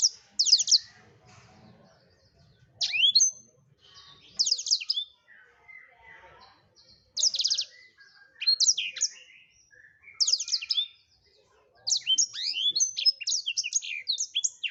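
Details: Black-throated canary in full song: repeated short phrases of shrill, rapid high twitters and down-sweeping notes, growing into a longer continuous warble toward the end.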